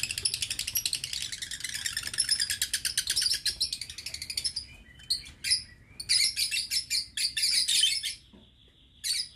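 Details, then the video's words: Lovebirds kept in a breeding aviary cage, November 2022: dense, rapid buzzy chattering in fast pulses for about four seconds, then broken shrill bursts and short squeaks, with a faint steady whistle between them. "Aviary Lovebird"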